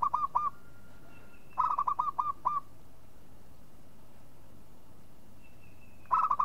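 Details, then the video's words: Local zebra dove repeating short stuttering bursts of hooked cooing notes, separated by pauses of a second and then over three seconds. A thin, faint high whistle is heard in the gaps. "SUARA MEMANGG PERKUTUT LOKAL"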